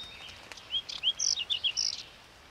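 A whinchat sings one brisk phrase of about eight high notes, mixing clear whistles with scratchy chirps, over a little more than a second against faint hiss.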